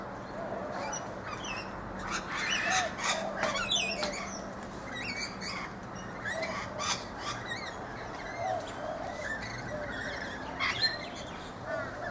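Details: Several rainbow lorikeets feeding in a backyard guava tree in Brisbane, Australia, giving rapid, harsh screeches and chattering squawks almost continuously, some in dense clusters, over a steady background of distant birdsong.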